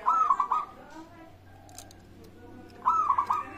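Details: Local zebra dove song used as a lure to prompt other birds to sing: a rolling, stuttering coo near one kilohertz, heard twice with a pause between phrases, over a faint steady low hum.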